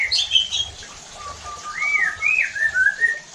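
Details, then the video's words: White-rumped shama singing to stir rival shamas into song: a few high chirps, then long, smooth rising and falling whistles. "PANCINGAN EFEKTIF JADIKAN MURAI BATU NEMBAK KASARR UNTUK MENINGKATKAN EMOSI DAN BONGKAR ISIAN"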